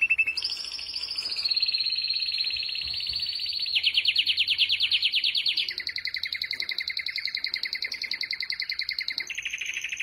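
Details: Long sustained canary rolls from a five-bird training song: bright, even trills held for several seconds each, stepping down then back up in pitch, repeated rapidly and steadily.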